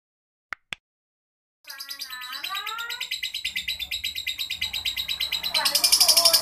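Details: Lovebird giving a long, rough ngekek chatter: after two faint clicks and a silent pause, a dense, harsh, rapidly pulsing trill begins, about four pulses a second. It keeps going without a break and grows louder toward the end.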